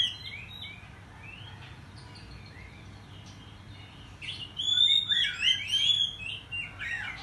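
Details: Oriental magpie-robin (kacer) singing in the morning, used as a lure to make other birds agitated and display. Faint scattered chirps first, then loud clear whistled phrases with rising and falling notes from about four seconds. Low steady hum underneath.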